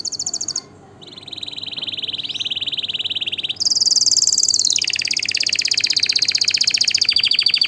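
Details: Canary in full song: a bright high trill, a brief pause, then a steady lower rolling trill that jumps to a louder, very high rapid trill continuing to the end with slight drops in pitch.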